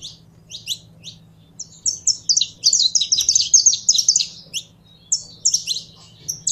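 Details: Caged saffron finch (canário-da-terra), kept by a bird keeper and being warmed up to sing: scattered sharp, high chirps build into a dense run of rapid, bright, slurred notes midway, then resume in short bursts over a faint low hum.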